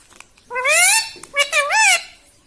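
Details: Talking pet parrot, said to repeat "mitthu mitthu" and "mummy", utters two clear, strongly harmonic voiced phrases, the second bending up then down, in a quiet small room.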